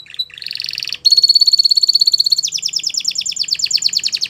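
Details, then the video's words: Belgian canary song for training young canaries: a brief note, a buzzy rattle, then a sustained steady whistled tone with fine pulsing, changing into a fast repeated trill of falling notes. "Canary Teacher To Train Your Canary!! Belgian Canaries Sing Melodiously"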